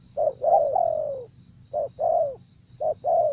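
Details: Spotted dove kept for decoy trapping, cooing in paired notes: a short hollow opener and a longer, soft, descending coo, about three phrases heard, with a thin continuous high hiss.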